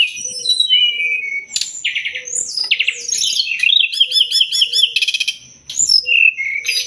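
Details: Sumatran leafbird in master song for training cage songbirds, pouring out fast mimicking phrases: sharp sweeps, buzzy rattling trills and a quick series of repeated ringing notes, unbroken and high-pitched.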